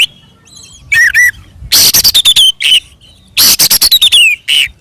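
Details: Fighting song of an Oriental magpie-robin, loud and open, meant to rouse rival birds: a downslurred whistle pair, then two dense clusters of harsh, clipped chattering notes mixed with falling whistles, separated by short pauses.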